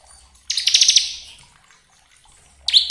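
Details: Bar-winged prinia (ciblek kristal) lure song used to provoke other prinias into lively singing: one short burst of rapid, high, sharp repeated notes lasting under a second, then a second phrase starting at the end, with near silence between.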